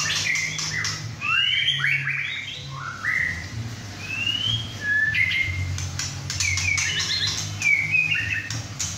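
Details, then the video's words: White-rumped shama, a young captive male just past his first moult, singing hard at home with two other birds present: sweet upslurred whistles, then scattered sharp clicks and harsh notes. "White rumped Shama – "Imagine" whacking hard"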